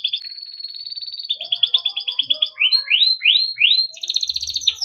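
Timbrado canary in continuous song: a high rattling trill, then a run of rising swept notes and a faster buzzy roll. Faint low chips sit beneath.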